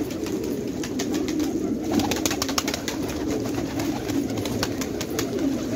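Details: Fighter pigeons kept in a village at Khanabad, Afghanistan, giving a constant rumbling chorus of low coos, while rapid clicks and knocks come in clusters.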